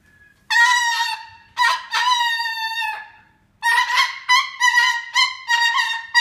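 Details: Cockatoo sounding an alarm on a playground: loud, harsh, nasal honking screeches, two long blasts then a run of shorter clipped ones, with silent gaps between.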